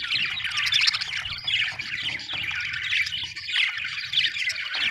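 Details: Budgerigars murmuring in a soft, continuous twittering warble of rapid mixed notes.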